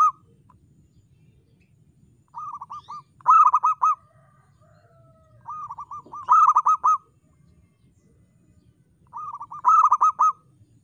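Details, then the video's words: Local zebra dove in lively song with a crystal-like voice: three paired phrases, each a soft cooing lead-in followed at once by a louder run of quick rolling coos, roughly three seconds apart. "PERKUTUT LOKAL GACOR SUARA KRISTAL"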